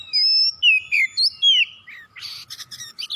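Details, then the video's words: Oriental magpie-robin singing as a prompt for other birds: five loud pure whistles, some held and some swooping downward, followed by a burst of harsh, scratchy, buzzy notes. "masteran kacer gacor atau pancingan kacer biar bunyi"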